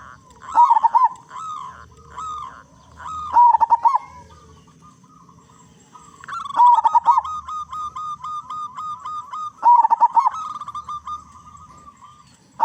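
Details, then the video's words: Loud-voiced local zebra dove (perkutut lokal) in full song, used as a lure to prompt other zebra doves to sing: clipped, stuttering coo bursts recur every three seconds or so, with long even cooing runs between them. "Perkutut Lokal Gacor Suara Besar Pancingan Burung Perkutut Agar Cepat Bunyi"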